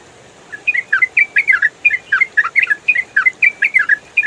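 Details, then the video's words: Trucukan, the yellow-vented bulbul, singing a rapid 'ropel' style for training other songbirds. The clip opens quietly, then a dense run of about twenty short whistled chirps, flicking up and down, carries on without pause. "MASTERAN TRUCUKAN ROPEL FULL SUARA JERNIH"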